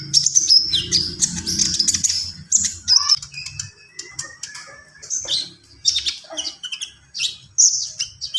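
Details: 'Gacor full isian' song of a konin, or Javan pied starling: loud, high screeches and squeaks arriving in separate bursts, with scattered lower slurred whistles and short pauses in between.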